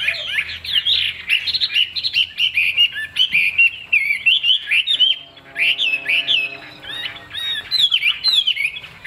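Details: Caged Chinese hwamei with a large tail, a songbird offered for sale, pouring out a loud, rich song of rapid whistled phrases, slurred sweeps and sharp chirps, nearly continuous over nine seconds with a brief lull midway.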